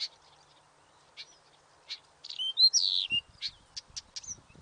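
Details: Nightingale giving a few isolated sharp notes, then a burst of loud slurred whistles and rapid clipped notes. Faint low thumps sound near the end.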